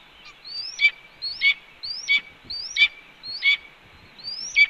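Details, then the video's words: Female red-tailed hawk at the Cornell nest, announcing her return to the nest: a sequence of six rising, slurred whistled notes, each ending in a brief harsh burst, repeated roughly every 0.7 seconds. "BR Announces Her Return"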